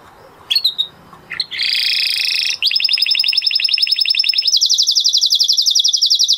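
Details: Male canary in excited 'mast' state singing over faint background noise: a few brief notes, then a dense buzzy trill, a long fast rolling trill and a higher rapid trill to the end.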